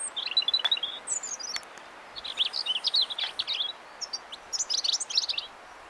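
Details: Robin perched in a blackthorn tree delivering high, sweet warbling song in rapid bursts of varied, tumbling notes, several separate phrases with short pauses between them over steady faint background hiss.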